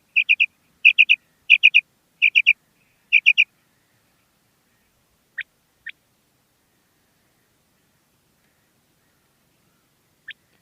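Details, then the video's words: Common quail female calling: five rapid triple-note high phrases in quick succession, then silence broken by three isolated sharp clicks. "Common Female Quail Calling"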